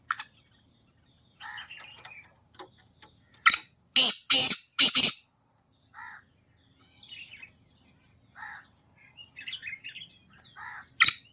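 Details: Black francolin of the Gangas strain, called a chakri-type bird, delivering a burst of four loud, harsh, rasping notes midway through, with quieter scratchy chirps of other small birds before and after and one more sharp note at the end.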